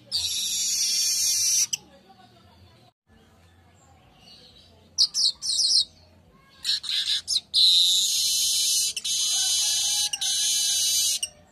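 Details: Midday weaver singing a lure and master song: long sizzling high buzz, then silence, short clusters of rapid ticking notes, and a second extended wheezy buzz to the end.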